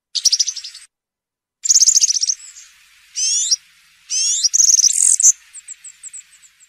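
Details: Campero-style European serin song used to teach young birds: fast, glittering, very high trills in several bursts, buzzy sliding phrases in the middle, and a string of thin, evenly spaced tinkling notes at the end.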